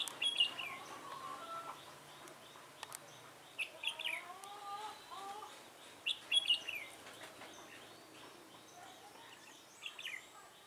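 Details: Red-whiskered bulbul calling during trapping with a decoy bird, 24 March 2018. Bright bubbly whistled phrases repeat roughly every three seconds, with lower, smoother whistles from another bird between them.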